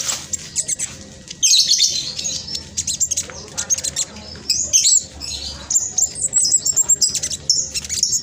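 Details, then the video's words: Spotted (trotol) black sunbird used to spur sluggish caged birds into singing, its song a rapid, tight stream of very high, scratchy twitters and thin whistled notes, delivered in bursts throughout. "Blacksunbird trotol gacor prospex cocok buat pancingan burung macet malas bunyi"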